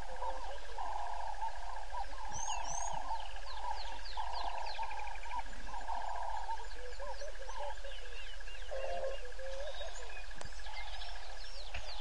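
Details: Yellow-billed hornbill calling at 06:48 by Gowrie dam, Djuma Game Reserve in the Sabi Sand Wildtuin, South Africa, from a live waterhole camera; a run of rapid, uneven husky clucks in bursts, amid a busy chorus of high bird chirps and whistles.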